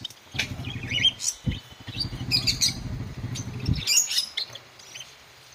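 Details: Java sparrows, caged pet finches described as playing, give short high chirps and clicking notes in scattered bursts, over a low rumbling background hum.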